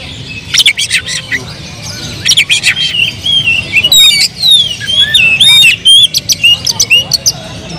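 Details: An agitated oriental magpie-robin (kacer), used as a lure to provoke other birds, sings loud squawky phrases, sharp upslurred whistles and harsh rattling bursts in quick succession over steady low background rumble.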